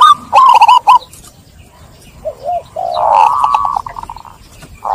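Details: Zebra doves cooing to coax stressed doves: one quick burst of hooked notes, a quiet pause with faint coos, then a long wavering note.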